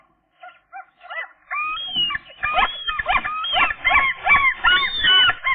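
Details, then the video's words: Seagull chicks at 13 days old, two left, give loud repeated whistled peeps, a few soft notes building into a rapid series of rising-falling squealing calls about two or three per second. "seagull chicks, day 13 update"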